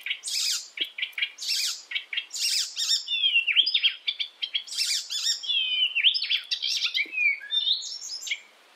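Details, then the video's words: Icterine warbler song from Europe, meant for training songbirds: a long, rich medley alternating harsh rasping bursts, clicky notes and clear rising and falling whistles, delivered continuously and with much variety. "masteran Burung || icterine werbler burung kapasan asli eropa"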